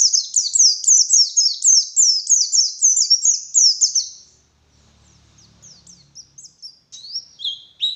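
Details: Morning white-eye lure, forest type: a rapid, regular chain of high falling chirps for four seconds, a short lull with faint low rumbling, then sparse sharp whistled notes.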